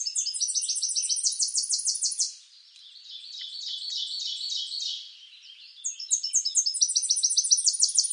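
A Tennessee warbler sings a loud, very high staccato song of rapid chipping notes that speed into a dry trill, then quieter notes before the next song begins.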